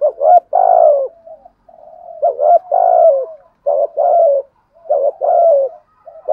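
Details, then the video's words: Spotted dove decoy calling, played to excite other doves: strong, low, rounded coos grouped into short phrases with quiet gaps, recorded clean with nothing else audible. "Tiếng chim cu gáy gù thúc bài bản, tiếng chim cu gáy kích bổi và tập mồi nghe rất xiêng gáy"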